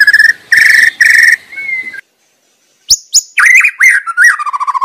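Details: White-rumped shama singing in its wild habitat. Three buzzy, ringing phrases are followed by a rising whistle and a brief silence, then sharp high notes and a tumbling run of warbled, quickening notes.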